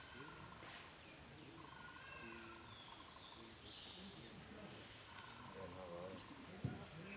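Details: White-rumped shama singing at Nameri Eco Camp on 3/3/2010: quiet, varied whistled notes, some level, some trilled or sliding, spread across several pitches, against a hissing forest background with a sharp tap near the end.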